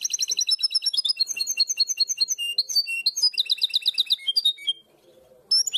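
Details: Song of a goldfinch hybrid in the primaveras (herrerillo) style popular around Barcelona: a rapid buzzy trill flowing into alternating ringing notes and another quick rattle, ending in a brief silence.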